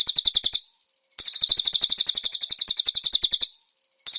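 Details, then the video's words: Konin master song used to train caged birds, filled with cililin phrases: rapid, bright, evenly pulsed high chirps in bursts lasting half a second to two seconds, broken by brief pauses. "MASTERAN BURUNG KONIN ISIAN CILILIN"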